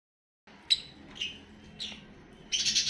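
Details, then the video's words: Lovebird, apparently a pet filmed while eating, gives three shrill, downward-sliding chirps about half a second apart, ending in a harsh, rasping screech. "love birds sounds"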